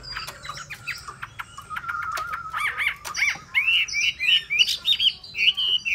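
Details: Hwamei song: soft chattering and a level whistle that grow into loud, looping whistled phrases, each repeated with a rising then falling slide, irregularly spaced and rich in overtones.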